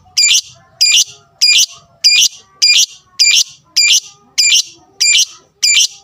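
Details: Lovebird fighter sound used to provoke opponents: ten strident, buzzy shrieks at a very even pace, about one every 0.6 seconds, on a quiet background.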